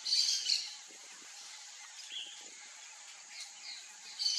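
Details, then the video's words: Wild Black-bellied Whistling Duck (Dendrocygna autumnalis) in the Pantanal: high, thin whistled bursts open and close the moment, with a few softer whistles between over a faint outdoor hiss. "MARRECA-CABOCLA flagrantes (DENDROCYGNA AUTUMNALIS), BLACK-BELLIED WHISTLING-DUCK."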